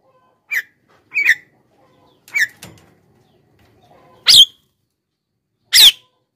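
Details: Javan myna calls played as a lure to draw in wild birds and prompt silent captive ones to sing. Five harsh, scratchy bursts at uneven gaps, the last two louder and broader, in an otherwise silent background.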